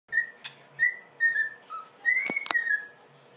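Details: A one-year-old cockatiel whistles clear, steady notes in short phrases, ending on a longer rising whistle.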